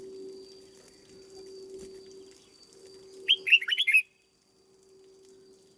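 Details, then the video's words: Red-whiskered bulbul kept in a cage and being trained, giving a single brisk phrase of bright, slurred whistles midway through. A constant low hum runs underneath, with quiet stretches before and after. "Cách chăm chào mào căng lửa nhanh hiệu quả nhất, cách dợt chào mào mồi"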